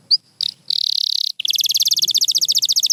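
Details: Pure white canary singing: a few brief chirps, a dense high buzzing trill, then a rapid rolling trill of evenly spaced, pulsing notes.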